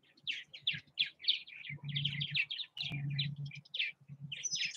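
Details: Purple Martins at nest houses in Southwest Missouri give quick bursts of husky, bubbling chirps, one after another, over a steady low hum.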